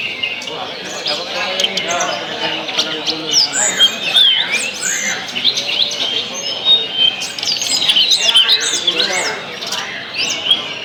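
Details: Tledekan song played to stimulate other birds into singing, a dense, busy stream of high chirps, twitters and quick rising and falling whistled notes running without pause, with faint low murmuring underneath.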